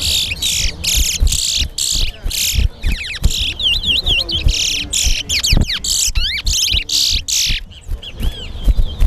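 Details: Chestnut-bellied seed finch (towa towa) competing in a singing match at Guyana National Stadium: harsh buzzy bursts alternate with runs of fast wavering whistles, while people talk and count in the background.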